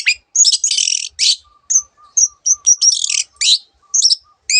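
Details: Long-tailed shrike singing buzzy high phrases and short whistled notes, mixing varied borrowed birdlike sounds, over a faint low steady ticking series in the background.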